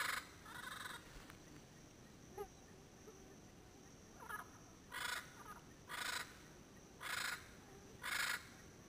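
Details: A pair of endangered Double yellow-headed amazons (Amazona oratrix) call noisily from Caribbean pines at sunset, Payne's Creek National Park, Belize, late January: loud, harsh, raspy half-second squawks about once a second, raucous yet ethereal, over faint hiss.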